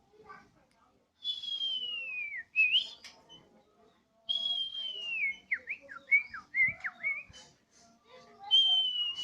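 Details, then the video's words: Home-kept Bornean white-rumped shama singing energetically on a terrace, its song likened to a siren: long clear whistles sliding slowly downward, then a run of quick dipping whistled notes and a final high sustained whistle. "Murai odong-odong (BORNEO) dengan penuh semangat si Burung berkicau layaknya suara sirine"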